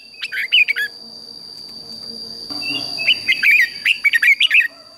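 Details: Red-whiskered bulbul singing in the morning for competition training: short sets of liquid, slurred whistled notes, then a longer run of bubbling warbles after a brief murmur of background noise.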